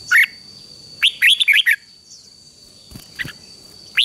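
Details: Red-whiskered bulbul singing, used to train young birds, giving short bursts of bright, rising, chirpy notes in quick phrases with pauses between, over a faint steady high-pitched whine. Red-whiskered bulbul.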